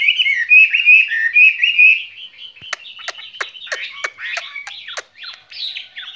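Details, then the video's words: Spring love song from a caged skylark: clear whistled, wavering notes for two seconds, then a quieter passage broken by a rapid series of sharp clicking knocks about every third of a second. "Chim quý ở lồng son ca bản tình ca mùa xuân"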